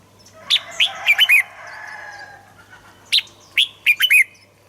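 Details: Red-whiskered bulbul, played to stimulate birds into singing: two matching phrases of five crisp, jumpy whistled notes, each phrase lasting about a second, separated by a gap with faint drawn-out tones underneath.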